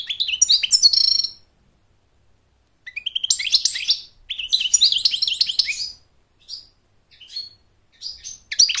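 An American goldfinch sings a long, rambling series of high twittering notes and sweet warbled phrases in bursts, with brief pauses between them.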